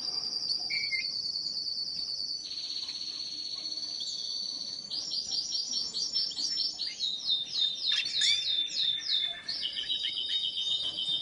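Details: Lawrence's goldfinch crossed with a dominant white canary in a breeding pairing; a sustained, high twittering song of fast rolling trills and buzzy runs, phrases changing every few seconds without pause, loud and close in a quiet setting.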